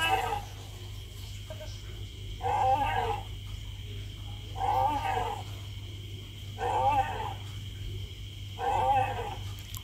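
A green peafowl gives loud, nasal, trumpeting calls, repeated about every two seconds.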